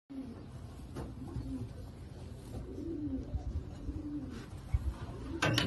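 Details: Mixed fancy pigeons, indoors, giving low, soft cooing notes that swell and fade in a drawn-out rumble, with a few sharp knocks and shuffling noises.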